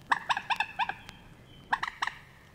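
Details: Moorhen calling in the reed beds of Matsalu, a 1979 USSR field recording: a run of four short, nasal clucking notes, then a pause and three more, with faint background hiss.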